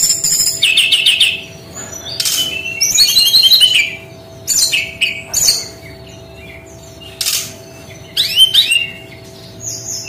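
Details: Brown-chested jungle flycatcher singing in its unique 'tembakan' style: rapid bursts of high, varied chirps and trills, broken by short pauses, with a faint steady hum underneath.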